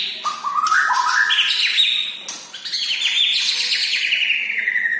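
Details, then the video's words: Medan-type white-rumped shama singing in full voice, with stepped, rising whistled notes that climb to a bright sustained phrase, then a long cascading series of rapid, ringing notes that slowly falls in pitch. "Burung murai batu medan gacoran"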